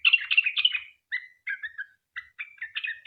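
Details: Sooty-headed bulbul song in the long 'ropel' style, a lure for other bulbuls: a fast chattering burst followed by separated short whistled phrases with brief silences between them.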